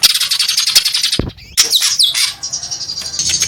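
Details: Cucak ijo (greater green leafbird) squawking: dense high buzzy trill, a brief pause, then sharp downslurred whistles and continued chatter.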